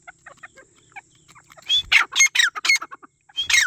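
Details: Grey partridge calling: soft scattered chips at first, then a loud burst of harsh, grating, descending notes, followed by a short pause and another loud harsh note.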